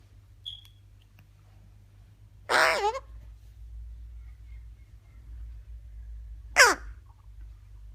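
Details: Pet Eclectus parrot vocalizing indoors: two brief, harsh, harmonic-rich squawky utterances about four seconds apart, with a faint short whistle near the start and a quiet room hum underneath.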